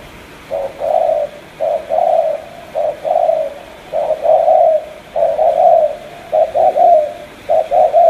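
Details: Cà Mau spotted dove in 'tú' style: a steady series of short-then-long low coo pairs, about seven phrases, the later ones quicker and more stuttered, clear against a quiet hiss.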